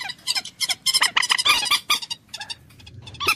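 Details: Common moorhen uttering an uneven string of harsh, croaking clucks, loud and dense in the middle, thinning out before a final sharp note.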